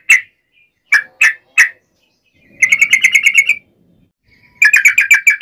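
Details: Yellow-vented bulbul fighting song, nggaruda ropel style, used to trigger other bulbuls: a few separate chirps, then two quick, even trills of bright whistled notes with a pause between them.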